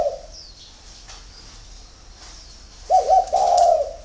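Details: Spotted dove early-morning song: mostly quiet, then a single full coo phrase near the end, a short stuttering start gliding into a drawn-out mellow note; faint twittering of other birds.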